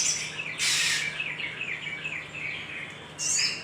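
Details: Little spiderhunter giving an energetic lure call to provoke other birds: a loud, harsh, very high burst, then a string of short descending chirps, and another shrill burst at the end.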